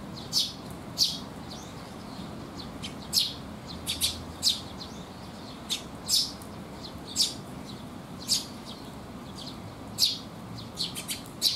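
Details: Sparrows coming to be fed on a rainy day, 19 June 2021; short bright chirps given singly or in quick pairs every second or so, over steady rain-like background hiss.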